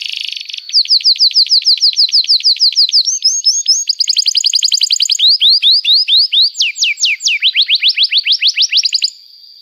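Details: Canary in lively song used to prompt young birds: short buzzy opening, then long runs of quick, ringing, down-slurred notes at varying pitches, some runs faster, others slower and swooping.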